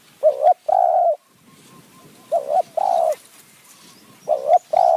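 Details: Decoy spotted dove in high forest, Kanchanaburi, Thailand, used to lure wild doves, calling in khu-ang and nun-ang style: three deep coo phrases, each a quick stuttered double hoot followed by a long steady coo, with soft background rustling.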